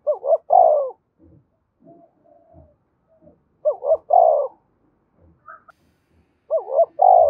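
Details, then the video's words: Spotted dove fighting-provocation call, repeated three times about every three seconds: each phrase two brief rising notes followed by a longer, slightly descending coo, with soft clicks and knocks in the pauses. "Tiếng chim cu gáy thúc đấu kích bổi hiệu quả giọng hợp bổi"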